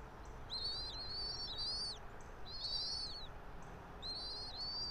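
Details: Bald eagle pair at the nest, Johnson City, Tennessee, camera mounted about 90 feet up a pine, early morning of 3 April 2024; three bursts of high, chattering whistles, each a stuttered cluster of short piping notes about 1.5 seconds apart.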